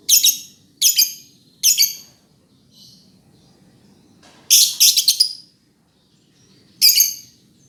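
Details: Lovebird calling with three quick harsh chirps, a short pause with soft notes, a stuttering burst of rapid chirps, then one final shrill chirp.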